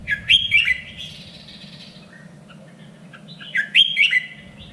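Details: Red-whiskered bulbul trained for singing contests, three-region standard song: two loud, rapid warbled phrases of sharp bright notes about three seconds apart, quieter whistles between them, and a continuous low hum.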